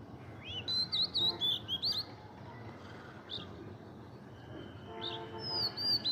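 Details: Oriental magpie-robin calling among blossoming mango trees with a coconut tree nearby, moving from side to side. Clear, sweet whistled notes slur up and down in a quick burst lasting about a second and a half. More whistles follow after a pause, over a low steady rumble.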